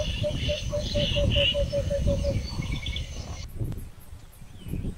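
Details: Verreux's eagle-owl uttering a fast, even run of about ten low pulsed notes that stops after three seconds, with chirping birds higher up and steady rumbling noise throughout.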